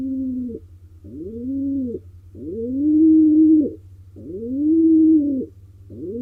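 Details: Wild male pigeon courting a female inside a nest box in Israel; five low cooing phrases, each rising then holding before breaking off, alternating shorter and longer, roughly one every second, steady hum beneath.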